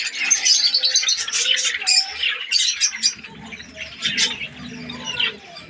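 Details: Chattering budgerigars in a breeding colony of Australian parrots, Pakistan: dense overlapping chirps and squawks from many birds, busy and unbroken, with a low murmur underneath.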